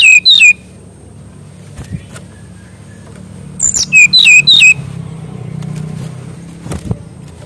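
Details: Mangrove whistler song meant for tutoring young birds: two brief loud whistled notes at the start, a longer series of five slurred downward whistles midway, low background hum throughout.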